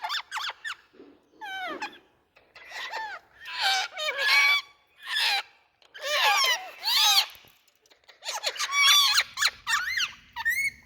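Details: Group of Indian rose-ringed parakeets making loud chattering noises: repeated bursts of harsh, arched squawks and twisting nasal notes, separated by brief gaps, with a faint low hum late on.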